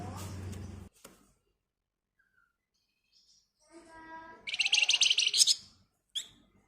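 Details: Flamboyan bird in agitated screechy song that prompts other birds to sing: low background noise first, then after a quiet gap a softer warbled phrase rising into a rapid, intense buzzy trill, then one sharp chip.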